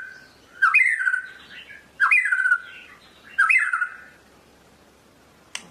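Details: Medan-type White-rumped shama repeats a rich, slurred warbling phrase three times, each starting low and sweeping through fluty tones, about every 1.4 seconds, with a faint click at the end.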